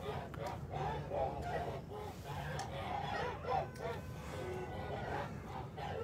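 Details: Kholmogory geese on a farm in March 2021 give a run of short, clipped, nasal honks, roughly three a second and uneven in spacing, over steady low background noise.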